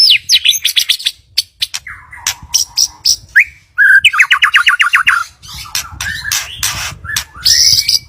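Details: White-rumped shama song used as a lure to prompt another bird to sing actively: fast, varied phrases of sharp chips, rising whistles, lower warbled notes and a rapid run of repeated notes, loud and densely packed.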